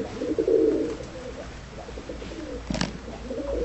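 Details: Tumbler pigeons in a loft, described as looking timid but easy to control; low cooing around 300–600 in the first second, then quieter murmuring and a brief clatter near the end.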